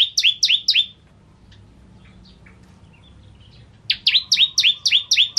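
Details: Bar-winged prinia singing energetically on a tutor recording for training songbirds: brisk two-part notes, a high tick falling into a lower swept chirp, repeated quickly in short bursts separated by a quiet gap with soft scattered ticks.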